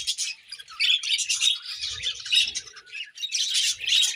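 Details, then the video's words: Budgies during their morning feeding give a steady stream of high, scratchy chirps and squawky warbles, with a faint low bump now and then. "Budgies Morning Feeding and Chirping Sounds"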